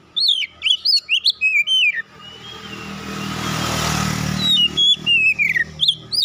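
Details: Competition-winning Oriental magpie-robin delivers rapid, bright whistled phrases with slurred, descending notes; a passing motorcycle roars over the middle, then the singing resumes.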